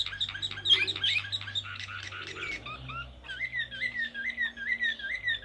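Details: Blue canary from Serbia, Slavujar song: a quick chattering trill that gives way to a series of rolling, wavy whistled notes repeated evenly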